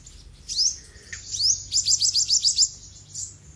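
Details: Olive-backed sunbird, known locally as sogok ontong, singing: high thin sweeping notes, then a quick run of about seven sharp repeated chips over roughly a second, ending with a brief high trill; faint low hum beneath.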